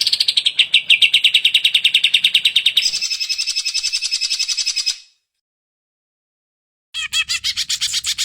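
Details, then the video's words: Greater green leafbird (cucak ijo) singing in an energetic 'hyper' style, used as a bird-training master recording: rapid, high, buzzy-chattered notes repeated several times a second, shifting higher partway through, then a two-second silence before the fast chatter resumes. "CUCAK IJO HYPER GA ADA OBAT GILA - MASTERAN BURUNG"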